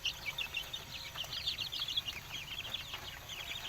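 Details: Several village chickens in Indonesia chirping in quick high-pitched runs of short peeps that overlap throughout, with low steady hum beneath.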